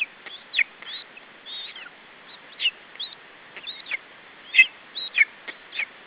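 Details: Lesser spotted eagle chick at a wild nest in Estonia, 21 July 2012, defending its food against an adult: sharp, high whistled calls, some rising and some falling, given irregularly in quick bursts with short clicks between them.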